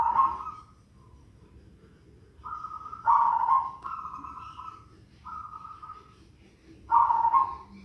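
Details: Zebra dove with an unusual voice: flat sustained hums broken by louder, deeper, grainy bursts, repeated in irregular phrases over eight seconds, against a quiet low hum.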